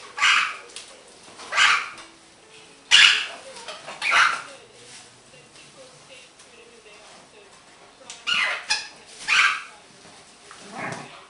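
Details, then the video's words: Happy pet green-winged macaw making noises and chatting indoors: short harsh squawks roughly every second or so, in two bursts, with soft low murmurs between them. "my greenwinged macaw have som noices, chat and a little bit laughin."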